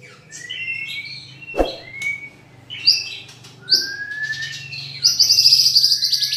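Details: White-rumped shama champion with luxurious 'isian' material: scattered rising and falling whistles separated by pauses and a thump, ending in a dense high rapid trill over a low hum.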